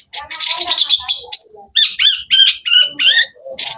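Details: Long-tailed shrike (cendet) song, energetic and varied: a fast chattering run of sharp chirps, then a series of loud, rich, buzzy notes repeated about every third of a second.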